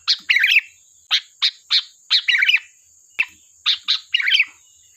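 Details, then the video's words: Busy sooty-headed bulbul song for use as a lure: chattering burst phrases mixed with single short chirps in quick irregular succession, bubbly and lively, with a thin high hiss in the background. "Suara burung Kutilang Gacor || tembakan tajam pas untuk pancingan"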